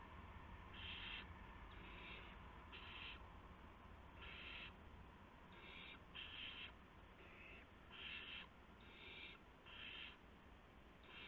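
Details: Owlets in a nest on the night of March 19, 2016, while adults deliver prey; a long run of about a dozen short, irregularly spaced raspy hisses, some fainter, with low hum throughout.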